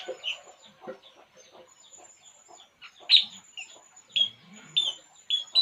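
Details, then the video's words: Relaxed puling bird producing busy, twittering chirps followed by several bright, clear whistled notes repeated about every half second, with a faint background hum. "burung puling. Inilah yg dilakukannya saat santay"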